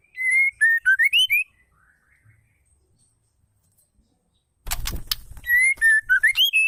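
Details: Female white-rumped shama calling, used to stir male shamas into singing: two bursts of rapid, high whistled notes that rise and fall, separated by silence, with a brief loud rustling noise before the second burst.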